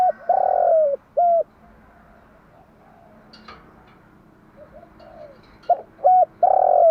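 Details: Female spotted dove used as a training lure, giving morning coos. There are two full phrases of clipped mellow hoots and a long buzzy descending note. Between the phrases come a quiet stretch and a few sharp taps.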